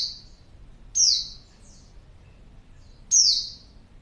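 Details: A female white-eye's lure call for attracting males: three sharp, piercing, high-pitched notes, each sliding quickly downward, separated by roughly two-second gaps of quiet.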